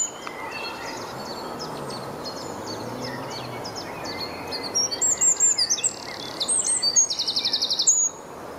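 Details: Eurasian wren song from Dortmund's Rombergpark botanical garden, 25 April 2015, camera-recorded: a string of high, sharp ticking notes builds into very fast, loud, mechanical trills in several bursts over about three seconds, with constant background hiss.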